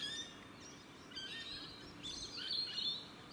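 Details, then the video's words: Australian rainbow lorikeets in the evening, recorded on a 4K camcorder; scratchy, screechy chattering calls in overlapping bursts over steady background hiss. "Bird Sounds- Australian Rainbow Lorikeet"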